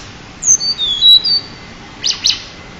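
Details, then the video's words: Pied bushchat, a champion bird kept as a master tutor for other songbirds, gives a few short high whistles, some sliding down, followed after a pause by two sharp scratchy chips. "burung decu juara untuk master"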